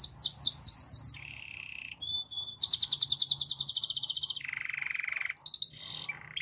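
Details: Belgian canary song: quick descending sweeps, a lower buzzy roll, then a long dense high trill followed by a deeper rolling trill and short whistled notes, with a faint low hum behind.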